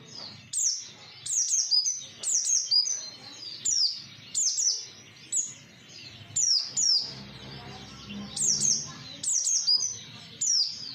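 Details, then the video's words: Calls of an Oriental white-eye used as a lure to draw replies from others: high, sharply descending chips in quick clusters, repeating steadily through the passage. "pancingan pleci 100% nyaut"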